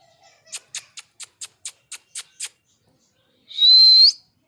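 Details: Pet parrot said to be angry: a quick run of sharp, evenly spaced clicks, then a single harsh, buzzy screech held for over half a second with a slight rise at the end.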